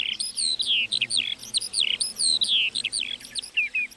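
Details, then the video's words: Lark singing in a meadow, quick sequences of downward-sweeping high whistles and twittering notes in an unbroken, lively stream. "Singing lark in the meadow"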